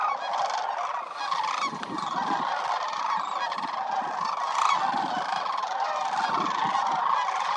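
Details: Massed calling of migratory sandhill cranes wintering at Willcox Playa Wildlife Area, over 20,000 birds: unbroken, rattling bugle notes overlap densely, with occasional louder individual calls standing out.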